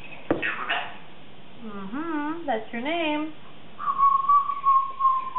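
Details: Congo African grey parrot, a 3.5-year-old female kept as a pet, practicing words in her morning chatter: wavering, voice-like tones rise and fall, then a long, steady, clear whistle holds to the end, in a small room.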